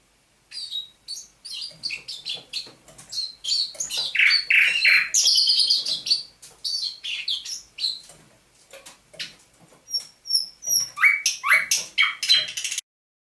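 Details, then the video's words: Indoor dawn singing, 27 November 2021, by a thrush nightingale caught near Saint Petersburg in May 2019: rapid dry clicks and ticks lead into a loud buzzy passage, a lull, then a high whistled pair and closing series of rising and falling notes. "Пение восточного соловья на рассвете"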